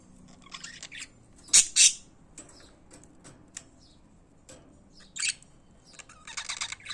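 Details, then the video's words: Several pet budgerigars singing, with sharp loud squawks, scratchy buzzing phrases and quick clicking chatter separated by brief pauses. "Periquitos de Estimação Cantando"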